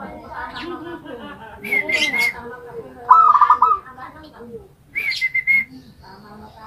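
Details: Caged zebra dove singing in a homemade cage made from a rice container: a single beaded, rapidly pulsed cooing trill around mid-clip, with separate high, flat whistled notes before and after and a low murmur of background sound.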